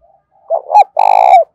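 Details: Spotted dove used as a decoy to provoke wild doves into answering. A stammered two-part opening, then a loud, buzzy, pulsing coo held for about half a second that drops in pitch at the end.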